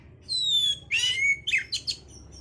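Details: Oriental magpie-robin song played to stimulate breeding condition: long descending whistles near the start, then harsh buzzy bursts, a sliding whistle and quick chattering notes, ending on a thin high whistle; low background hum.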